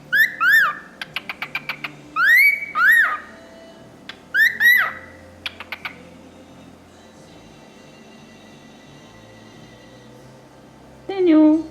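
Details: A male cockatiel about 4 months old, perched on a hand beside his sister, talks in a clear, nasal voice, repeating "Daniel", "Daniel boy" and "pretty boy" with rising whistled inflections; he also wolf-whistles, laughs and makes kissing sounds.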